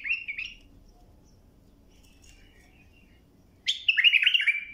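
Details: Bulbul singing, recorded for tutoring young birds to sing: a brief fluttering whistled phrase, a long quiet pause, then a louder run of rich, wavering warbled notes.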